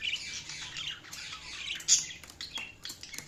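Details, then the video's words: Budgerigars chirping: a continuous busy chatter of high, scratchy warbles and squeaky chirps, with brief sharper squawks, from several birds. "budgies chirping sounds"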